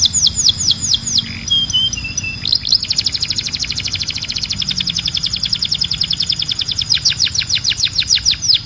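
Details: Canary singing opens with falling whistled sweeps and a short soft phrase, then breaks into a long, even, rapid trill of repeated downslurred notes that continues to the end.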